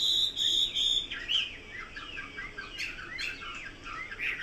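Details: Chinese hwamei song opening with bright repeated whistled notes, then breaking into softer varied slurred phrases and short chirps, somewhat quieter and more scattered toward the end.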